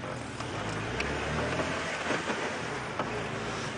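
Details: Outdoor vehicle noise with a running engine and scattered small knocks, without any animal sound.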